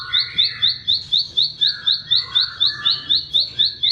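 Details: Song of a bar-winged prinia, played to train cage birds: bright upslurred notes repeated in a regular rhythm near four per second, over quieter warbles and chatter from other birds.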